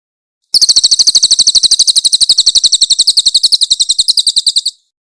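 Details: High rattling trill from a Grey-headed canary-flycatcher in a clear, loud master recording for songbird training: roughly four seconds of rapid, sharp repeated notes in a steady rough 'tembakan' burst, then silence.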